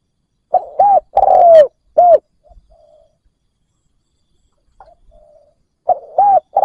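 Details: Spotted dove decoy cooing to lure wild birds: one full phrase of quick short coos, a long falling coo and a clipped end note, a quiet low murmuring stretch, then the start of another phrase.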